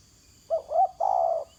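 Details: Close spotted dove on the ground delivers a single soft coo phrase: a short note, a second rising note, then a longer steady coo lasting about half a second.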